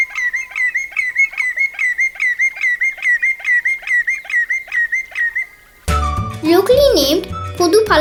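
A Common Greenshank gives a long, steady series of clear, ringing tew notes, about three a second, before music and a voice take over.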